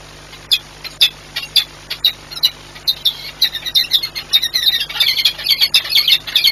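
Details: Peregrine falcons (Falco peregrinus) at Orlen Płock, Poland, 10 March 2022, a bird bringing a gift (prey): harsh, rasping calls about twice a second, growing faster and more crowded toward the end, over a low steady hum.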